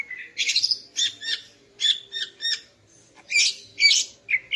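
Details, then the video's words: Morning song of a female greater green leafbird, given to stir the male into breeding condition: loud harsh chattering bursts alternating with clear high whistles in quick, irregular phrases. "Kicau Burung Cucak Ijo Betina Pagi Hari untuk Naikkan Birahi Cucak Ijo Jantan"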